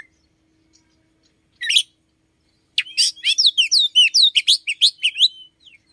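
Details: An Oriental magpie-robin kept indoors sings early, around five in the morning: a brief chirp, a silent gap, then a lively stream of rapid, twisting whistled notes and slurred chirps lasting about three seconds.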